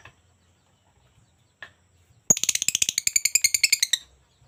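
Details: Lovebird singing energetically, a quiet start with a lone chirp, then a fast burst of about twenty shrill, sharp chirps packed into under two seconds before stopping.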